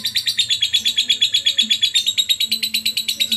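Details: Lovebird singing actively on a recording meant to train other birds: a fast, even series of bright high chirps, close to three each second, sustained throughout with a faint low background hum.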